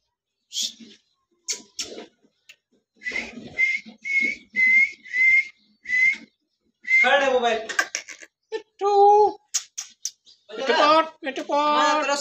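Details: Pet parrot, named as a ringneck, talking: a series of steady whistled notes, then garbled speech-like phrases, squeaks and raspy mimicked words indoors.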